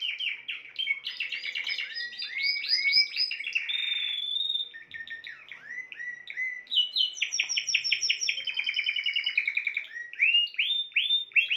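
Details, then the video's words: Spanish timbrado canary song with a long sequence of varied tours: rolling chirped trills, a buzzy sustained passage, then fast high repeated notes and rising whistled loops. "chant des oiseaux timbrado espagnol"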